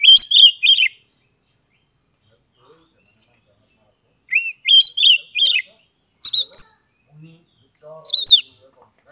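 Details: Oriental magpie-robin song from Kebumen, Central Java, Indonesia, meant to make silent birds respond and sing; clusters of sharp chirps and sweeping whistles, repeated in bursts with pauses of a second or two.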